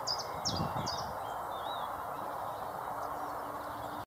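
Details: Common chiffchaff (Phylloscopus collybita) call: three short, high notes about every half second, then quiet, over a steady roar of wind or distant traffic.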